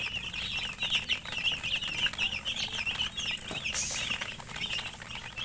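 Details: Chicken chicks peeping in a steady flock chorus, high wavering chirps repeated quickly, plus a brief burst of hissing rustle near the end.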